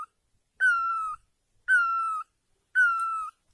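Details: Great barbet in Asia uttering three loud, long plaintive wailing notes, each opening with a brief higher onset then held and slightly falling, about one per second, in near silence.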